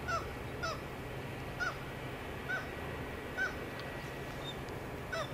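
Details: Kittiwake from the breeding coast of Møre and Romsdal, Norway, recorded in mid-May, gives six short, nasal, slurred honking calls at uneven intervals of roughly one second, over a steady low background hum.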